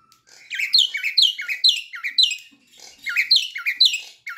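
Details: Asian pied starling youngster learning its song, played as a lure recording; two bursts of rapid squeaky, slurred notes, each dropping then rising sharply, repeated in quick chattering runs.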